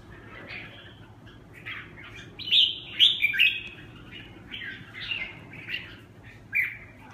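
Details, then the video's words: Red-whiskered bulbul singing in the Huế xoè song style: short bright chirped and warbled phrases in bursts, the loudest notes near the middle, over a steady low hum. "Huế xoè -Kênh về chim Chào mào"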